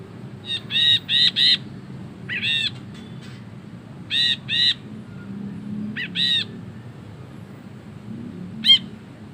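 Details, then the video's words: Ashy bulbul in full chattering song, long ngekek style: clusters of three or four harsh, buzzy notes fired in quick bursts with pauses between, ending on one sharp, high, isolated note over a faint low hum. "BURUNG BRINJI KELABU GACOR NGEKEK PANJANG"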